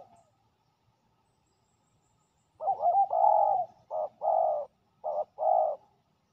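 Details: Spotted dove male, described as a fierce territory holder, recorded outdoors during ground decoy trapping. After about two and a half seconds of quiet it gives low, hollow cooing notes in short grouped bursts, with faint background rustling.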